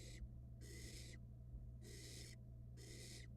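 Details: Nestling barn owl in a Florida nest box, during a fast rat-swallowing episode, gives three long, harsh hisses, each about half a second, separated by short pauses, over a steady low hum.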